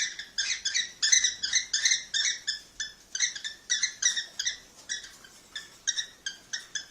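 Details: Mating call of a cockatiel meant to encourage pairing: a steady series of short, bright harmonic chirps repeated roughly three times per second, slightly softer toward the end.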